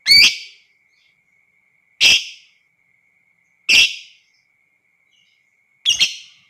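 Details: Lovebird voice used to stir other lovebirds into long ngekek: four loud, piercing shrieks, each short and falling away, spaced roughly two seconds apart, with a thin constant whine behind.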